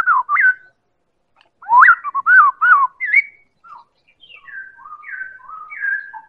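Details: Lure song of a white-rumped shama, Medan type, meant to set other birds singing: loud looping whistles in a quick series, then softer descending and rising whistled notes spaced out.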